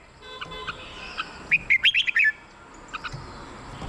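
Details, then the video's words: Red-whiskered bulbul song meant for decoy use or to rouse caged birds: one quick burst of five clear, slurred whistled notes in the middle, with fainter scattered chirps before and after over a soft background hiss. "เสียงนกกรงหัวจุก สำหรับต่อ หรือ เปิดให้นกคึก เสียงเพราะๆ"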